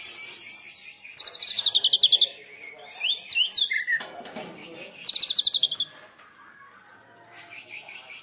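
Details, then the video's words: Oriental magpie-robin (kacer) after its first molt, delivering 'tembakan' shots: two loud rapid rattling bursts of high staccato notes a few seconds apart, separated by swooping whistled phrases and a short lower buzzy note. "Tembakan Kacer Super Pedas"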